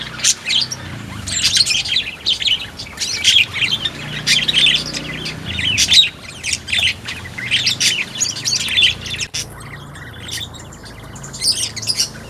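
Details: Sunda white-eye in a mini aviary, 1 November 2024, singing without pause: loud bursts of high, jumbled twittering notes separated by short gaps, later phrases quieter.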